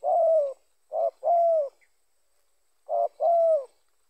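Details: Spotted dove cooing, its voice used as a lure in trapping to draw in other spotted doves: mellow, low hooting coos, one long note, then two short-long pairs about two seconds apart, over a quiet background with a faint steady high tone.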